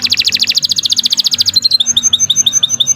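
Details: Domestic canary singing long and continuously, used as tutor song for training other birds: a rapid rolling trill of bright high notes for one and a half seconds, then a slower series of sharp chirps repeated about twice a second.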